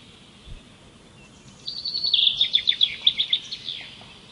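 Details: Bird singing outdoors: after a quiet start, a bright high phrase of rapid, evenly pulsed chirps runs for about two seconds, then fades into softer twittering over a steady low background hiss.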